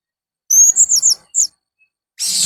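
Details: Blue-crowned hanging parrot making strange and fierce sounds: a tight cluster of shrill, high squeaks and twittering notes, then one brief extra note and a final burst of rough hissing noise.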